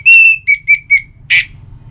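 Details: Orange-headed thrush song for prompting kept birds: a long high whistle followed by three short repeated whistles and a harsh rasping note, over faint low hum.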